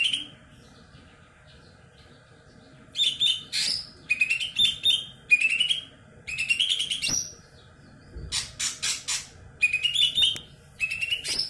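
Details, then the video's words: Greater green leafbird of the loud kebo type, a former contest bird, after a quiet start pours out repeated bouts of rising whistles and rough buzzy notes, with harsh rasps midway. "cucak ijo kebo(ex prestasi punya sibos)volume badak asli nusuk kuping"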